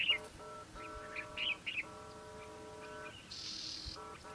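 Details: Citrine wagtail in Israel: short high chirps, then a harsh buzzy call lasting about half a second. A steady droning hum of stacked tones runs underneath most of the recording.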